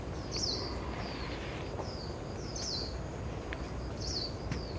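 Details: A Dark-sided Flycatcher in Yilan, Taiwan, gives thin, high, slurred whistles in small clusters about every two seconds, over a steady low outdoor rumble.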